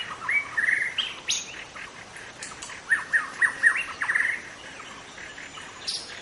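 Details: Wild white-rumped shama in forest, song used as a lure for other shamas: sweet whistled notes repeated in a rapid series around the middle, with scattered sharper chips.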